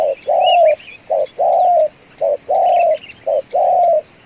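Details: Spotted dove, a lure bird with staying power of two hours of cooing, uttering clear paired coos, short then long, about three pairs in four seconds, with soft chirps of small birds behind.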